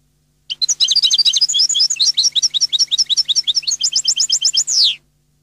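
European goldfinch singing a fast, tinkling twitter of high, liquid notes for about four seconds, closing on a drawn-out descending buzzy note. A faint low hum sits beneath.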